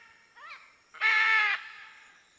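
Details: Out in nature, a macaw gives a soft rising note, then one loud, strident, buzzy squawk lasting about half a second, followed by quiet.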